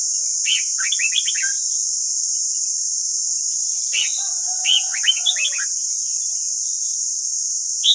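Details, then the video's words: White-cheeked red-whiskered bulbul singing for voice training of captive birds: a quick run of warbled whistles, a pause, then another bright jumbled phrase and a final note, over a constant high-pitched hiss. "Luyện giọng chào mào ép bổi ép má trắng"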